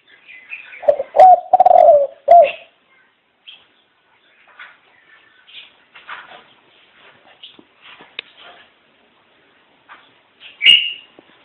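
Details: Dove gives one rolling coo phrase at the start, followed by scattered faint higher chirps and clicks, and a sharper chirp near the end.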